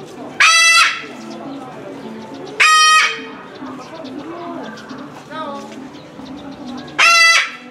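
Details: Moluccan cockatoo at a Japanese zoo in Omiya Park, December 2017, calling again and again. Three piercing, rough screams come at intervals of two to four seconds amid a murmur of visitors' voices.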